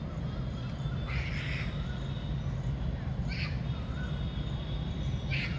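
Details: Indian peafowl, a male dancing for a peahen in the rainy season, gives three short, harsh, nasal calls about two seconds apart over a steady low rumble of background noise.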